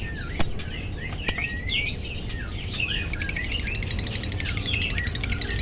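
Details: Pretty-coloured lovebird learning its song chirps gacor-style: a few sharp clicks, then quick sliding whistles and twitters that blur into a buzzy rapid rattle in the second half.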